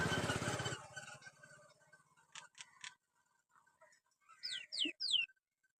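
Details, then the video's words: A talking common myna gives a burst of harsh noise, then scattered clicks, ending with three quick, high whistles that slide sharply downward. "Talking Myna Bird"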